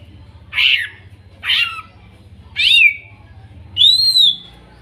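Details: Greater green leafbird from the Kuningan forest, therapy song for a bird gone quiet: four separate phrases about a second apart, harsh buzzy notes turning into a clear rising-falling whistle, over a steady low hum.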